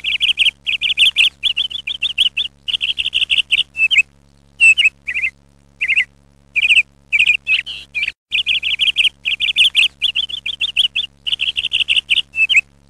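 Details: Birds calling around a zamindar house, nearly two centuries old, in Manikganj; a long run of high, whistled chirps delivered in rapid bursts with short pauses, steady and insistent throughout, with a faint low hum underneath.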